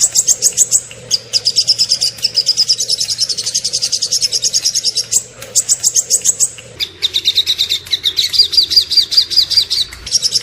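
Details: Small bird singing in rapid, high chattering trills, long runs of sharp repeated notes broken by brief pauses, with a clear fast series of pure whistled notes near the end; a faint low hum underneath.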